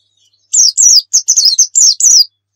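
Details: Brief 'nembak' white-eye song for luring: seven or eight high, down-slurring whistled notes delivered rapidly in a single burst of under two seconds, nothing else audible.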